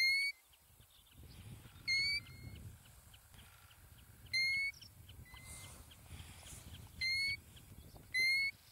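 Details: European golden plover calling in Iceland: six loud, clear, slightly rising whistled notes spaced about two to three seconds apart, with fainter distant whistles and a low wind rumble between them.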